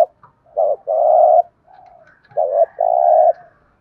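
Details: Cooing spotted dove in thúc gù style: two phrases of a short coo followed by a long, level, hollow hoot, separated by a soft murmured note, with no background noise.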